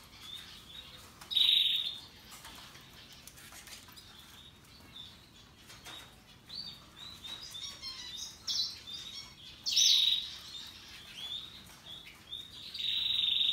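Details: Russian yellow and Timbrado canaries in song: scattered soft twitters broken by three loud bursts of sharp, high warbled trills, the last one continuing as a sustained rolling phrase at the end.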